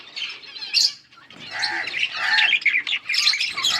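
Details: Yellow budgerigars chattering on August 20, 2024: a sharp squawk, a brief lull, then a rising burst of buzzy warbles and short whistled notes from more than one bird.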